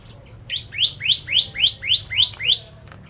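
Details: Bar-winged prinia (Javan prenjak) singing as a lure for ciblek kristal birds: seven evenly spaced, rising buzzy notes, roughly four per second, clear and loud against a quiet background.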